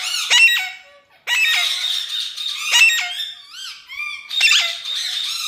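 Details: A speaking pet parrot from India makes shrill, harsh squawks and squeals with a brief pause between them. A few wavering, whistled phrases follow, heard indoors.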